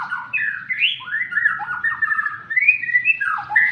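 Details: Caged white-rumped shama (murai batu) being sunned, singing a continuous run of rich whistled and slurred phrases, rising and falling between low warbles and higher sweeps, with brief harsher notes; faint low background hum throughout.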